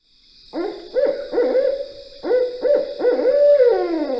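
Barred Owl giving a rhythmic series of deep, hooting notes, the familiar 'who cooks for you, who cooks for you all' phrase, ending in a drawn-out descending hoo.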